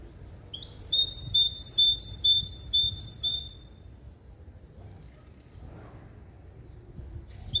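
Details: Male goldfinch × female canary hybrid schooled in clean limpio song using goldfinch base calls. A bright, high trill of repeated sweeping notes runs for about three seconds, then quiet, with a fresh phrase starting at the end.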